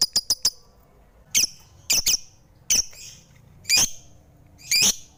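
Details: Lovebird at home giving a quick string of four clicks, then spaced harsh high squawks, some doubled, separated by pauses of about a second.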